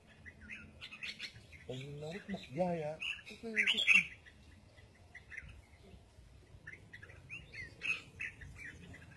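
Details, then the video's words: Red-whiskered bulbul singing in the double-voiced style known locally as giọng kép: short bright whistled and chirping phrases, with a loud burst near the middle. A person talks in the background early on. "Chim Chào Mào Hót Giọng Kép"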